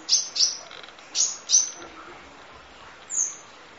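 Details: Van Hasselt's sunbird, kolibri ninja, in a full 'nembak' masteran: four sharp high chirps in two quick pairs, a short gap, then one thin down-slurred whistle.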